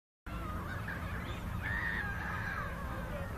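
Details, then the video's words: Gulls at the seaside on the Sea of Marmara; a single drawn-out, slightly falling call stands out midway over a steady low rumble of wind and surf. "Seagulls at seaside"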